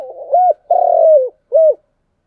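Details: Spotted dove giving its cooing in the chiêu and thúc styles: a soft broken lead-in, a short clear coo, a long buzzy falling coo, then a brief final coo, single phrase with a pause before the end.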